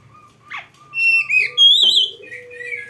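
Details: Oriental magpie-robin (kacer) song used as a training tutor for young or quiet birds: clear whistled notes around mid pitch, a rising sweep, and bright slurred phrases, with a low steady tone underneath.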